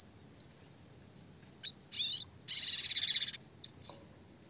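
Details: Clear-voiced red siskin singing in the roll tembak style for songbird training: sharp high chirps spaced out, a buzzy rattling trill of rapid pulses lasting nearly a second, then more single chirps.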